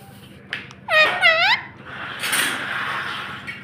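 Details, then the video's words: Talking pet parrot uttering two quick, voice-like syllables with a rising and falling tone indoors. A burst of broad rustling noise follows. "Talking parrot"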